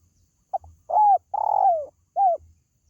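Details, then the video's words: Spotted dove call for luring pet birds: two quick soft clicks, then a husky coo, a long drawn-out falling coo, and a final short downslurred coo. "SUARA PANGGILAN BURUNG TERKUKU"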